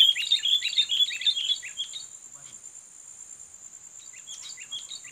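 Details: Sooty-headed bulbul, a fighting bird targeted in luring: a rapid, loud string of bright chirping notes for two seconds, then softer scattered chirps returning near the end, with a continuous high-pitched insect hum throughout.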